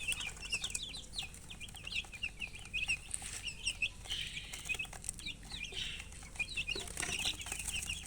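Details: Several colored poultry chicks chirping, thirsty for drinking water; a busy overlapping stream of piercing descending peeps, almost unbroken, over a steady low background hum.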